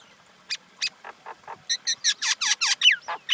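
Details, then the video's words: Common myna giving a varied run of harsh, squawky and gurgling notes, starting with spaced croaks and building into rapid, loud, chattering bursts with a few whistled squeaks near the end. "Common Indian Myna sound"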